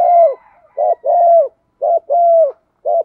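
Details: Spotted dove hen's coo used to coax males into calling in rainy, windy conditions; close, full, low hoots alternating short and drawn-out, about six notes in three seconds.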